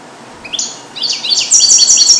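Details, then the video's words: Captive-born male European goldfinch, hatched 2022 and song-trained on Neapolitan passages, sings a quick run of bright, tinkling, liquid twitters and trills, building in strength over two seconds, alone in a small carrier cage; no other sounds. "Cardellino di passata"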